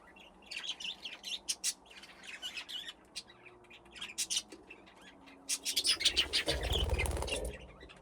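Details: A growing flock of budgerigars plays in an aviary with nesting boxes. Quick, bright chirps repeat several times a second, with scratchy warbles mixed in, and a low thump of wing or perch noise sounds near the end.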